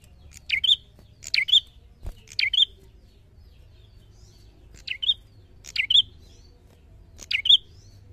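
Bar-winged prinia giving sharp, high two-note 'chip-lik' phrases, a quick downslurred note then a bright higher one, repeated about every second, over a faint low hum.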